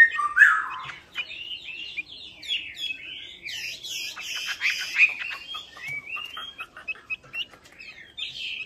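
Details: Hwamei lure song for birds that have stopped singing: a loud slurred opening whistle followed by quieter, continuous varied warbling and whistled notes with some clicky sounds.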